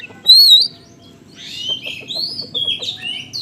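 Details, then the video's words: Oriental magpie-robin song in the konslet style, used to lure unresponsive magpie-robins. It opens with a clear whistled warble, then gives softer, scratchy, sliding notes over a low background hum. "PANCINGAN KACER KONSLET MATERI BURUNG KECIL"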